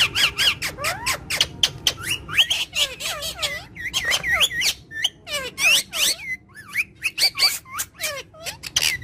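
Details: Talking parrot, non-stop, giving a long series of sharp squawks and whistled, warbling notes that rise and fall, packed closely together against a steady background hum.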